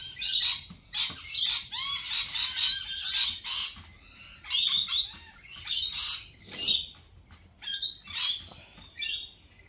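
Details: Lorikeets calling at a cafe: shrill, harsh screeches in quick clusters, several rapid squawks then brief pauses, repeated throughout with strong ringing overtones.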